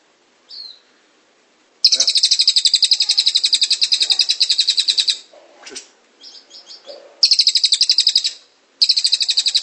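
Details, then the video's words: A cililin in rolling ngrol song, one short note, then a three-second rapid high trill, brief squeaks, and two further shorter trills. "Masteran cililin gacor ngrol"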